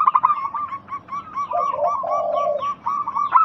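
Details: Local zebra dove song for prompting silent doves to call: brisk staccato coos, then a deeper drawn-out purring coo, and clipped coos again at the end. Faint high twitters from other birds sound behind them.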